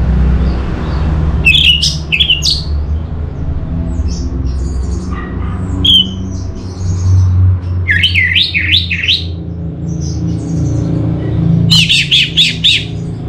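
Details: Orange-headed thrush (anis merah) singing as a lure for other birds: separate bursts of rapid, bubbling rising-and-falling notes about every three seconds, some phrases looping in quick repeated swoops, with a steady low background hum.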